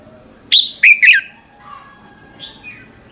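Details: Red-whiskered bulbul singing in the morning as a lure for training other bulbuls; a single quick phrase of three loud slurred notes dropping in pitch, followed by faint softer notes in the background.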